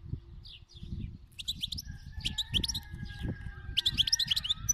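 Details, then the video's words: Song of a khalawi (wild) goldfinch: a few soft sliding notes, then dense runs of sharp twittering chips and bright tinkling syllables, with a faint sustained tone and low rumble behind. "تغريد الحسون الخلوي"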